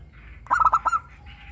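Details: Local zebra dove with a crystal-clear voice, played to coax captive doves into singing; a single quick burst of five rolling, bubbling cooing notes, with faint background hum.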